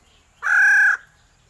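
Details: Captive bronze-tailed peacock-pheasant at a breeding center in Chiang Mai, Thailand, giving a single loud, steady, harmonic note about half a second long against a quiet background with a low hum.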